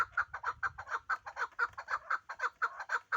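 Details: Chukar partridge of the Pamir calling with a fast, fairly regular string of clipped chuck notes, about two each second, clear against a quiet background with faint low rumble.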